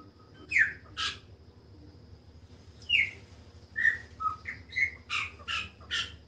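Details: Chopi blackbird song of scattered notes: sharp high chips, short rich whistles and slurred downward notes, with pauses between, over a constant low hum.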